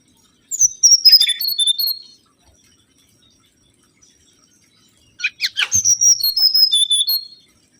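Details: Two loud phrases from a mangrove whistler, used as a lure, about three seconds apart: each is a fast series of whistled notes stepping downward, the second opening with a few sharp clicks.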